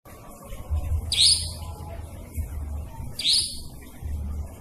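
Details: Nightjar call used as a trapping lure: two sharp, high, rising chirps with a bright overtone, about two seconds apart, over a steady low hum of background noise.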